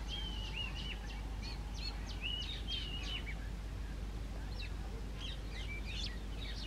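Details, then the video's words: Male Oriental magpie-robin giving clear, varied whistles mixed with quick chattering notes, phrases tumbling over one another, against a steady low rumble of background noise. "Magpie-Robin Bird Whistling Sound | Robin Chattering sound"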